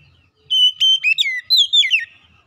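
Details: Oriental magpie-robin lure song meant to get a reluctant bird singing: a quick run of clear whistled notes, some steady and some sliding downward, given in two short bursts with brief gaps between them against a quiet background.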